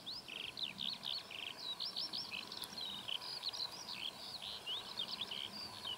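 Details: Eurasian skylark singing on a very hot day while perched low on a pole overlooking its territory: a continuous, rapid flow of chirping, warbled and trilled notes without pauses, over steady low rumbling background noise.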